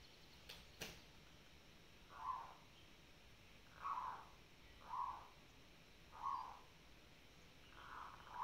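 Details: Zebra dove (Merbok) in a fight display gives two sharp knocks, then five short, soft purring coos in a row, roughly every one and a half seconds.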